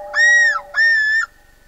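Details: Two loud, ringing arched notes from a common loon at night, each about half a second long, over a faint steady tone. Quiet follows.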